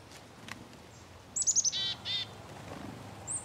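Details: Black-capped chickadee giving a brief call: a few quick, very high thin notes followed by two short buzzy 'dee' notes, over quiet outdoor background hiss.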